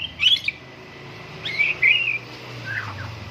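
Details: Short burst of white-rumped shama song during morning dew airing, a caged bird in full voice: a sharp high twittered phrase, then a bright warbled whistle and a softer descending note, over low rumbling background.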